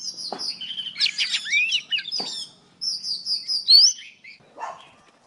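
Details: Morning song of an old wild Oriental magpie-robin, a trapping lure recording: high whistles and a fast jumble of chattered notes, broken by short pauses, with a few dry clicks.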